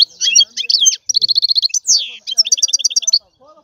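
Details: European goldfinch singing a rapid, liquid twitter of high tinkling notes, with fast trilled runs and a buzzy descending slur, broken by a brief pause near one second.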